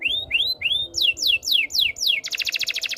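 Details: Canary song of three rising whistled notes, then four loud falling sweeps, closing with a very fast high rattling trill.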